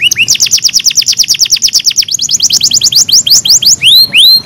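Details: Canary singing in a recording made to train other canaries: a fast, steady trill of high sweeping notes, changing partway to a slower series, then ending with long rising whistled slurs.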